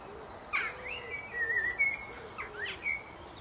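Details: Blackbird delivering rich, fluted whistles with slurred and falling notes in short phrases. Soft low cooing runs underneath, and there is a faint high hiss.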